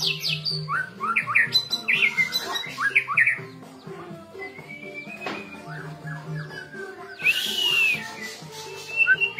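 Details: White-rumped shama song used to stir caged birds into emotional, full singing: quick chirps and short whistled notes, then a bright burst near the end, over steady background music.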